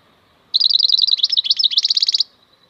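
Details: European goldfinch (maknine) singing in the khalwi style: one rapid, bright, twittering phrase of about twenty quick notes, some dipping and rising, lasting under two seconds, with a faint low hum behind.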